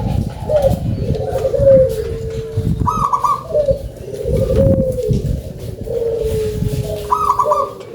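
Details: Local zebra dove (perkutut lokal) in full, active song with a big voice: phrases of quick stuttering coos that run into a long, low, slightly falling note, each phrase ending in a brief higher coo, about three phrases in eight seconds.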